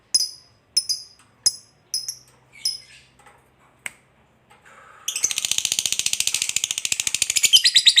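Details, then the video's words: Fighter lovebird, played to provoke other lovebirds into singing: a run of separate high, sharp chirps, then a dense, fast chattering trill that fills the last three seconds. "SUARA BURUNG LOVEBIRD NGEKEK PANJANG"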